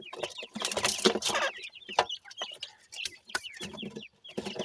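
Partridge chicks give a busy run of short, high cheeping and chirping notes, several voices overlapping in quick bursts, with some low rustling noise.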